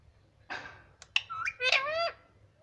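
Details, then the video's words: Talking pet parrot, reportedly saying "mummy" and "papa": a soft rasp and two sharp clicks, then a loud, strained, voice-like syllable that holds its pitch before cutting off, over low background hum. "Parrot talking mummy Papa"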